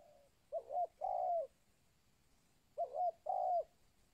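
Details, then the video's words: Spotted dove giving the local 'kuk 2' call for luring wild birds: two phrases of a quick double-note coo followed by a longer, soft, downslurred coo, with silence between. "SUARA TEKUKUR LOKAL KUK 2 AMPUH UNTUK PANCINGAN BURUNG TEKUKUR LIAR"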